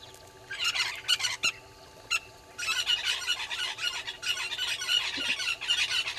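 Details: Southern red-billed hornbills below a waterhole camera at Gowrie dam, Djuma Game Reserve, Sabi Sand, South Africa, in the morning: harsh, squawking clucks in rapid bursts, pausing near two seconds, then a long continuous chattering run, steady hum beneath.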